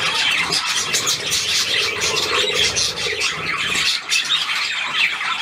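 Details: Pet budgerigars indoors while their keeper plays with them: dense, continuous high chirping and squawking chatter from several birds, with a man's voice nearby.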